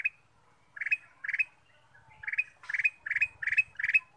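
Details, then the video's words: Black-capped bulbul used as a singing lure: short grouped chattering phrases repeated about every half second, each a tight burst of bright notes, with faint low background noise. "pancingan kutilang emas"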